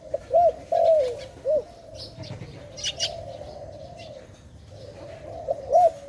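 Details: Dove in a trapping setting coos a few arched notes and a drawn-out roll, then falls quiet amid faint rustling and a brief high chirp before cooing again at the end.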